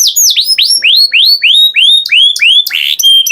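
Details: Canary repeats sweeping whistled notes that dip then rise, about five each second, ending in a few harsh buzzy notes.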